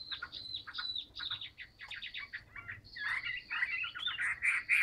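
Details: Somewhat distant-sounding song of a caged Chinese hwamei singing with tail spread: rapid chattering, repeated bursts of short notes, then fuller whistled phrases, over a faint steady background hum.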